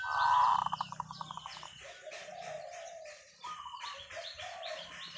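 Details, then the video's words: Zebra dove giving a long call: a loud, rich, bubbling coo that breaks into a fast run of rhythmic pulsed notes, with softer chirps from other birds behind it. "เสียงนกเขาชวาต่อ ออดยาวๆ"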